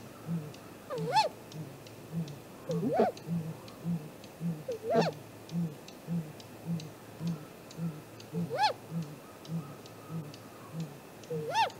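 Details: Great grey owl at its nest, 7:15 am, 2 April 2018, during an extended visit: short rising whoops at irregular gaps of about two seconds above an unbroken pulsing series of deep, low hoots.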